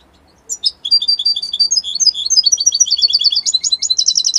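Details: European goldfinch of the Italian type, giving a short rising note and then a continuous, rapid, high, twittering song of liquid chirps and trills. The song grows faster and denser toward the end.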